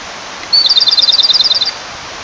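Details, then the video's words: Male Japanese robin singing beside a clear stream to call a female: after a short opening note comes a loud, rapid, high trill of about sixteen evenly spaced notes that lasts just over a second. Faint running water is heard behind it. "清流の妖精 コマドリのさえずり"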